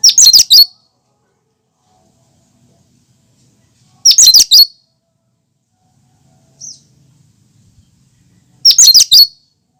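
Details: Natural cucak kinoi song without mimicry. Short, bright bursts of rapid high twittering notes come roughly every four seconds, with a faint single note in the pause. The background is still apart from a low, faint hum.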